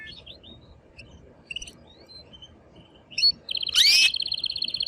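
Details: Male canary singing to stimulate a female for breeding; scattered soft chirps and short whistled notes build into a sudden loud, dense rolling trill at the end.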